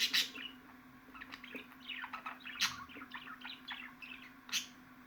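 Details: Lively budgerigar warble of quick sliding chirps and squeaks, broken by three loud sharp clicks, with a low hum running steadily in the background.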